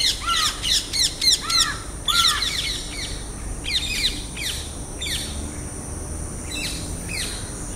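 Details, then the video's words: House crows give harsh, nasal caws in quick overlapping bursts, loud then fainter, over steady outdoor hiss, in urban or rural South Asian-type settings. "House Crow (Corvus splendens) Sounds"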